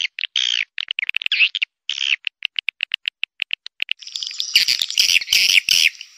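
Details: Swiftlet call played to attract swiftlets; quick buzzy chirps and short clicks repeated irregularly, then a denser, louder chattering burst toward the end with a harsh background rasp.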